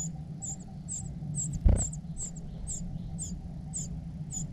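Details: Begging cuckoo chick, cared for by foster parents, repeats high, thin squeaks roughly every half second; a soft thud sounds partway through over low rumbling.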